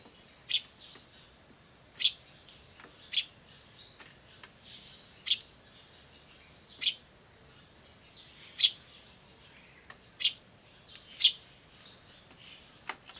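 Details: Eurasian tree sparrow chick, 21 May 2013, begging more feebly than usual, perhaps tired: thin, high, single sharp chirps every one to two seconds at an uneven pace, while a turtle dove and a crow call somewhere.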